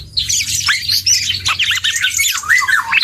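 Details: Juvenile black-and-yellow oriole learning to sing, a quick flurry of high squeaky twitters and short looping whistles, steady throughout, over a faint low hum.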